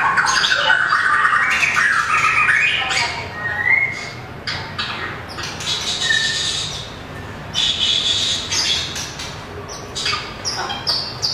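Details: Competition-singing white-rumped shama, a long-tailed caged songbird, gives bursts of rapid, varied whistles and harsh chattering notes, loud at first, then broken into separate phrases with short pauses.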